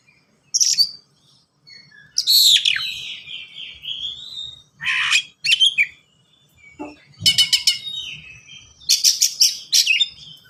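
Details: Oriental magpie-robin (kacer) singing a varied, rich song: a high note, then a long descending whistle, scratchy squeaks, and later rattling bursts of rapid clicking notes. A brief low sound appears near the middle.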